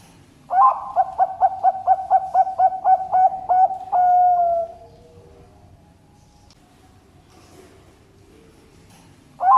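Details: Ring-banded zebra dove bred at an East Java bird farm, Indonesia, cooing a fast series of about eleven soft, clipped pulses ending in a sustained hollow coo, then several seconds of near silence before another phrase begins.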